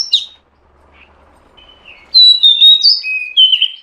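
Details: Female Oriental magpie-robin calling to prompt a male to sing and raise his breeding drive: a short high slur, a quiet gap, then a loud series of varied sweet whistles at different pitches.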